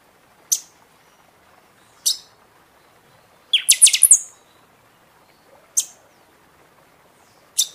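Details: Seasonal song of the Buffy-fronted seedeater for encouraging caged birds after feather moult; high, sharp single notes every couple of seconds around one rapid series of loud, ringing strokes ending in a thin whistle.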